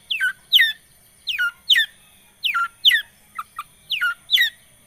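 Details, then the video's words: Long-tailed shrike singing in a lure recording meant to get a quiet shrike going: loud paired downslurred notes, harsh and squeaky, repeated roughly every half second with short gaps. "Pancingan Cendet Macet,putar 1detik dijamin pasti ikut gacor"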